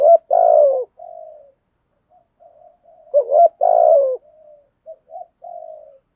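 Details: Trained decoy spotted dove giving its urging coo, used in daily training to stir up wild doves: loud low throaty coos in two bursts about three seconds apart, each followed by softer trailing notes.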